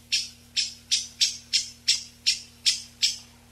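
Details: Eyebrowed thrush, a migratory mountain species, gives thin, high, sharp call notes, about three per second, evenly repeated, over a faint low electrical hum, in a noise-reduced recording meant for calling flocks or training birds.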